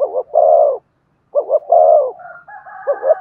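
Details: Spotted dove cooing to stimulate another dove to sing: two paired-note phrases ending in long steady coos about a second apart, followed by a faint higher drawn tone over the next phrase.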